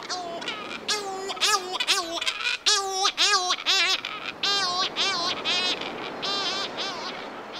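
Laughing Kookaburra in full cackle: loud, hooting chuckles rising and falling in rapid rolling bursts, several notes a second, building into raucous laughter.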